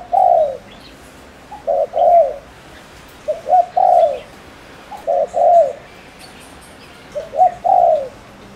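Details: Spotted dove decoy bird from Ninh Thuận, Vietnam, cooing fast to provoke rival males. Five phrases in under nine seconds, roughly every one and a half seconds. Each phrase is a short soft note followed by two mellow, descending coos.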